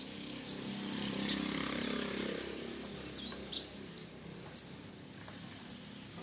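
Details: Red-breasted sunbird singing, kept as a lure for other songbirds: thin, piercing high notes, single or in quick doubles, each dropping slightly in pitch, given roughly twice a second with a faint low hum beneath.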